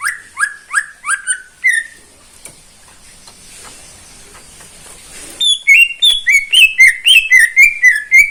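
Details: Greater green leafbird kept caged by a neighbour, singing in the morning: five upward-sweeping whistles, a long quiet gap with faint noise, then a quick regular run of about twelve bright whistled notes.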